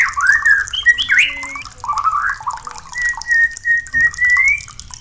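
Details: White-rumped shama song used as therapy to bring a bird into breeding condition and mating: varied whistled phrases with slurred rising and falling notes, then a long sustained whistle near the end.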